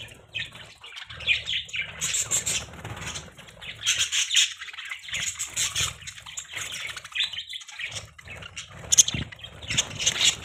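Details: Budgerigars chirping: dense, scratchy, buzzy chatter with short squawky notes, overlapping and nearly continuous, brief soft pauses between bursts, no other sounds clear.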